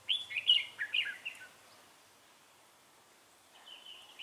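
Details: Decoy Red-whiskered bulbul giving fighting song at a trap, recorded 3 November 2018: a quick burst of bright, warbling whistled notes lasting about a second and a half, then quiet, with a faint phrase near the end.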